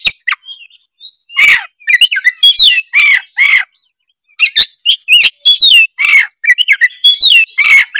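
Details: Vigorous gacor song of an Oriental magpie-robin (kacer): tumbling phrases mixing melodic whistles, chattering trills and harsh rasps, with one brief pause midway.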